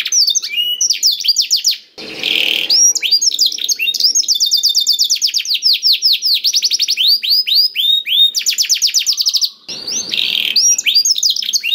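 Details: Singing black-throated canary meant to prompt other canaries into song: long, dense trills of quick descending high notes, changing tempo between phrases, broken by two short harsh noisy bursts.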